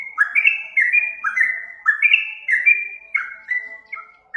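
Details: Yellow-vented bulbul lure song: lively clusters of slurred whistled notes, some sharp and bright, running in uneven bursts that trail off toward the end.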